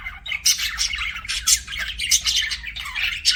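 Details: Budgerigars kept as pets chirping continuously, a busy chatter of raspy, squeaky notes and harsh squawks with no pauses, over a faint steady hum.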